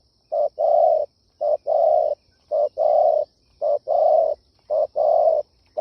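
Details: Spotted dove calling to stimulate decoy birds, a steady low cooing made of a short note followed by a longer full coo, the pair repeated five times at an even pace with no other sounds.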